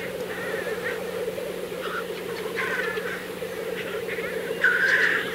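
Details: Black grouse (Lyrurus tetrix) at a courtship lek in April 2024: a steady chorus of low, bubbling rookooing coos, broken by higher hissing sneezes and brief calls from other birds.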